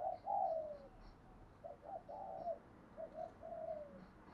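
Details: Spotted dove decoy, trained daily, cooing to stimulate other doves: soft, more distant repeated burry coos that fall in pitch, against a steady hiss of background noise.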